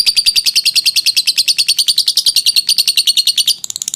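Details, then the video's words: Long ngekek trill of a lovebird, a recording meant for training other birds: fast, high, shrill chattering pulses strung evenly for over three seconds, then a quick shift to thinner, sharper notes at the end. "Suara jernih burung lovebird ngekek panjang"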